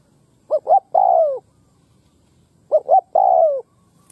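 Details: Newly caught spotted dove in molt, noted for good cooing: two phrases, each two quick short coos then a sustained falling coo, about two seconds apart in a quiet setting.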